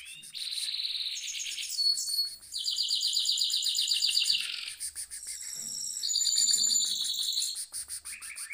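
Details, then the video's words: Goldfinch mule singing in a cage, a rolling performance of long fast trills, each a steady run of repeated bright notes, linked by sharp chirps and twitters with barely a pause. "mule goldfinch rolling on cage"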